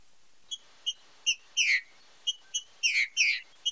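Green-winged saltator giving a loud song of short, sharp high notes mixed with longer rich slurred phrases, about two to three per second.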